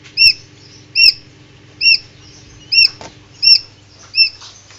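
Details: Incubator-hatched Common Quail chicks peeping: six shrill, short, curved notes at uneven spacing, with soft tapping and a low mechanical drone behind.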